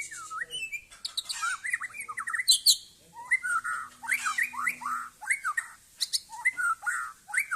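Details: Murai Aceh (white-rumped shama) performing the 'kapal layar' (sailing ship) display in a yard: loud, rich song of quick varied whistled phrases, looping up and down, mixed with crisp high chips, in steady bursts.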